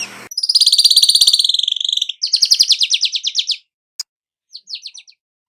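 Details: Weaver song in the 'gacor nyerut' style: a fast, rattling series of high, slurred chirps that slows into stuttering buzzy notes, then a sharp tick and a few scattered chirps.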